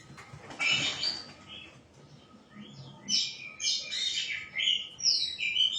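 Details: White-rumped shama song that opens with a harsh, scratchy burst, then moves into quick whistled and warbled phrases that rise and fall.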